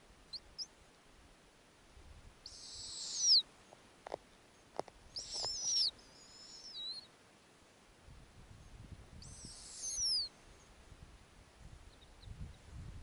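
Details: Harsh, high, drawn-out screeches with a falling tail, three main calls over thirteen seconds. They come from snowy owlets at their Arctic nest during a warm summer night when the female returns and feeds them a lemming. Faint clicks and rustling between calls.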